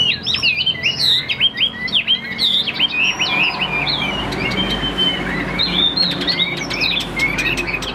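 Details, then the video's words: Tam Hoàng Chinese hwamei, caged and even-tempered, singing a fast stream of looping whistled notes, bending up and down in quick slurs and continuing without pause over a low room hum. "Họa Mi Tam Hoàng, Hót Hét Rất Ổn, Nết Chơi Điềm Đạm Chất Giọng Hay, Ra Giọng Đều"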